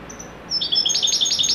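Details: Moroccan goldfinch, Wedani type, performing joyfully: faint high thin notes, then a sudden run of bright, rapid, ringing twitters repeated in quick succession.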